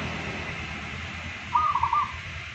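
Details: Local zebra dove, one of two birds compared, giving its daily song. A single brisk phrase of about five bubbling, cooed notes at mid pitch comes just past halfway through, against a faint steady hum.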